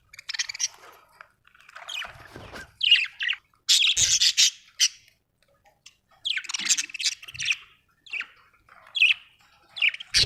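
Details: Budgie chattering over ten seconds: scratchy chirps, buzzy squawks and short tweets in irregular bursts, with dense noisy stretches and brief pauses, plus a few faint low thumps.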